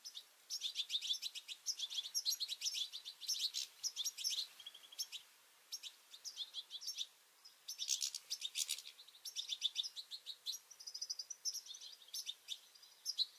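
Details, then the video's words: Feisty European goldfinches and chirping juveniles competing at a garden seed feeder in the morning; near-continuous rapid, high, tinkling chirps and twitters, coming in dense bursts with brief gaps. "Goldfinches fighting and chirping juveniles"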